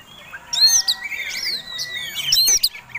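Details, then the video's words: Oriental magpie-robin, a contest fighting bird, giving provoking song: long sliding whistles mixed with two loud bursts of high chattering notes. "Kacer Tarung Ngobra Ngotot Gayanya Eksotik Bikin Ngiler || Pancingan Mewah!!!"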